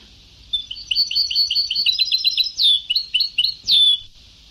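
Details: European goldfinch on an old Ceuta-style (sabtawi) song recording: rapid tinkling twitter of high chirps, then sharper slurred notes and a bright descending whistled note near the end, over steady background hiss.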